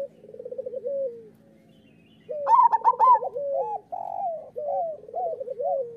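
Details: Zebra doves of the local type sing as a training master. A soft rolling trill fades to near-silence, then comes a loud volley of clipped higher coos followed by wavering, undulating coo phrases from overlapping birds.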